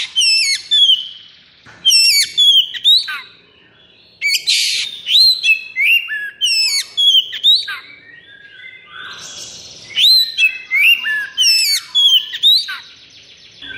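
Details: Oriental magpie-robin kept in a cage, in a 'konslet' fighting mood with full breeding drive. It sings a dense run of ringing, hooked whistles and quick chirps, repeated phrase after phrase with short pauses.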